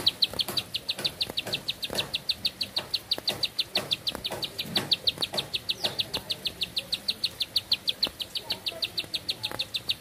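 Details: Bar-winged prinia pouring out one long song, crisp high-pitched notes in a fast steady rhythm near three per second, with little low-frequency noise behind it.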